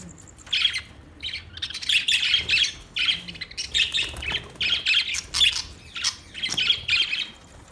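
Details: Budgerigar chirping and chattering in dense bursts of bright, scratchy, high notes, grouped into short phrases about every half second to a second, with a faint steady ticking underneath.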